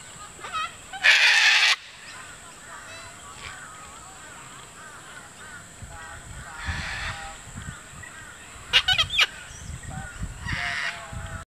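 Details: Group of wild sulphur-crested cockatoos milling about on a lawn at Sherwood Arboretum just on dusk, some disputing a stick; loud grating screeches near the start and again later, separated by quieter nasal chatter and squawks from the flock.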